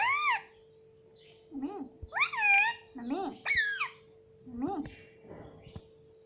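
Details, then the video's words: Indoor talking Indian ringneck parakeet saying words like mitthu: a run of short, high, rising-then-falling harmonic syllables alternating with lower voiced sounds, over a constant background hum. "Mitthu Mitthu Bolne Wala Batuni Tota - Talking Parrot"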